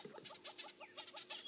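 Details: Greater Honeyguide calling from a treetop, then flying ahead of a safari vehicle, Djuma Game Reserve, South Africa, 31 October 2016: quick, repeated two-part mid-pitched notes, about five a second, over bursts of hissing wind or vehicle noise.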